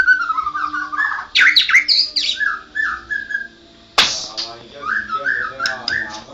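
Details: White-rumped shama, a national champion, singing gacor: low warbling phrases broken by sudden harsh, scratchy bursts and short whistled notes.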